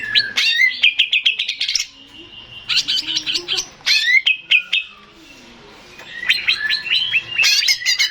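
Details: Male greater green leafbird singing as a lure to prompt replies from other birds, with fast clicking and chattering bursts mixed with slurred whistles, each burst lasting one to two seconds and separated by short quiet gaps.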